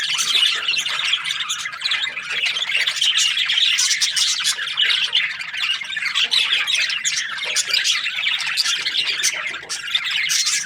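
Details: Budgies, Australian parrots, keep up a long, loud, continuous chattering of scratchy squawks and squeaky high chirps from several birds at once.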